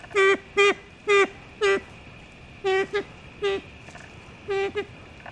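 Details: Siamese fireback, Thailand's national bird, at Sakaerat Biosphere Reserve in Thailand, giving nasal, horn-like toots, about eight in five seconds, some in quick pairs, over a faint steady insect hum.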